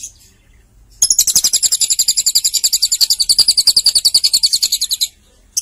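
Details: A lovebird sings a sustained four-second stream of rapid, shrill, rattling chirps, evenly pulsed at several notes per second, starting abruptly after a second of silence.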